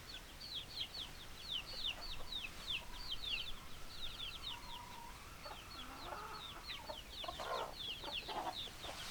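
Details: Chickens on a farm: many high, thin peeps sliding downward repeat rapidly throughout, joined by a few lower clucks and a short harsher burst near the end.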